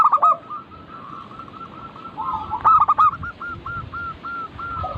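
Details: Zebra dove of a local strain cooing, meant to get birds singing: a quick series of short, evenly spaced, hooked mid-pitched notes, interrupted by a cluster of loud stacked notes near the middle.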